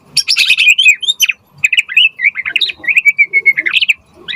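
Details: Actively singing white-rumped shama for training other shamas: rapid high chattering notes running into a continuous stream of short slurred whistles.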